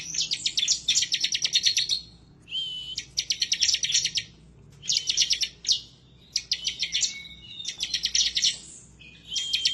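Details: Bar-winged prinia singing insistently as if looking for a rival: repeated bursts of rapid, shrill chirping with short whistled notes between, about six bursts in ten seconds.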